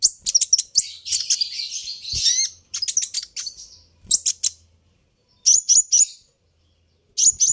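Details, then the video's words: Kolibri ninja, a sunbird, calling loudly to make other birds answer. Dense high chirping and a short trill come first, then groups of two or three sharp notes separated by brief silences. "suara ini bisa bikin Kolibri ninja naik pitam"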